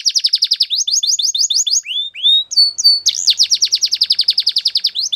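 A Belgian canary sings high, fast rolls of sharp descending notes, breaks briefly into a few slurred whistles, then launches into another rapid rattling trill.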